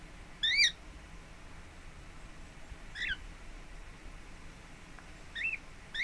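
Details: Pet lineolated parakeet resting at home, recorded 26 April 2017: clear upward-sliding chirps, each about a fifth of a second, repeated roughly every two to three seconds over quiet room noise.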